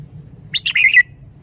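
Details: Caged red-whiskered bulbul showing its 'shaking bottle' song style: one short phrase of a few quick chirpy notes that slide into a bright warbled ending, over a faint low hum.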